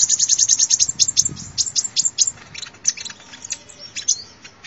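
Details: Sunbird song meant as a lure: a quick, very high chattering trill of sharp chips at first, slowing into scattered thin twittering notes.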